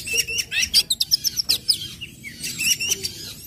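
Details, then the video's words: Orange-headed thrush singing ngecip, ngecit and ngeplong styles to spur other birds to sing; fast, loud high chips repeated in a quick stuttering series, fading into softer twittering over a steady low hum. "SUARA ANIS MERAH NGECIP NGECIT NGEPLONG PEMANCING BIRAHI AGAR IKUT BUNYI"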